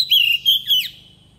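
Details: Brief fragment from an Oriental magpie-robin lure bird's forest-style song, sung to train young birds: three sustained clear whistles, the last bending sharply downward, fading quickly.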